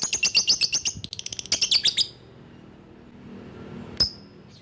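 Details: Lovebird calling to attract rivals: dense rapid chattering trills of high chirps lasting two seconds, then quiet and one lone sharp tick.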